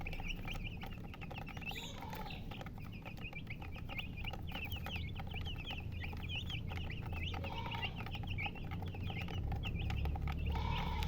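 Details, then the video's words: Many chicks chirp in a dense run of rapid, high, falling peeps, nearly four per second, with occasional longer squeals, above a steady low-frequency hum. "MURGI Baby "Chicks Chirping" Sound"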